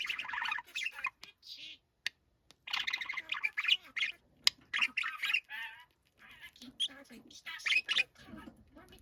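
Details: Young budgerigar, once wary and now tame, with a voice likened to a middle-aged man's, pours out long runs of rasping, warbling chatter separated by short pauses and single clicks.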